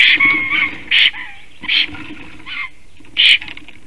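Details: A Latvian Black stork named Kaupo, singing after returning home at 9:36 AM on 13 April 2019, gives a longer drawn-out note and then a series of short, wheezy, nasal notes about once a second, over a faint hiss.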